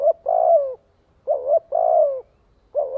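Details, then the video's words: Decoy spotted dove calling to draw others to it. It gives a brief lead note and then a drawn-out, slightly falling coo, and repeats the pair twice in close succession. "Tiếng chim cu gáy kích bổi gọi bầy hiệu quả."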